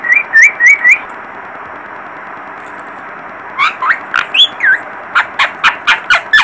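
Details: Young parrot uttering quick rising chirps in a run of four, then a burst of fast clicking squeaks and swooping whistles, close and busy.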